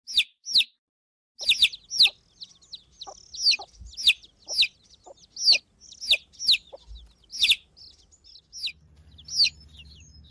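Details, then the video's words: Newly hatched domestic chicks peeping: loud, high, sharply falling peeps, often in quick pairs, scattered irregularly through the recording with softer peeps between and a faint low hum near the end. "Pintinho Piando"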